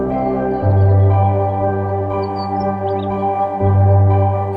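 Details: Sustained organ-like ambient music with a deep droning bass, no animal voices heard.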